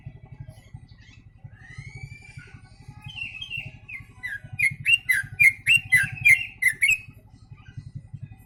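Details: Yellow-vented bulbul imitating the sooty-headed bulbul: rising whistles and slurred phrases lead into a loud series of about eight sharp, bubbly chirps repeated roughly every third of a second, against a low humming background.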